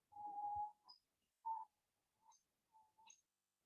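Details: Critically endangered Bermuda petrel (genus Pterodroma), a drawn-out, mid-pitched moaning note, then four or five shorter hooting notes with faint high squeaks, on a thin, low-fidelity recording.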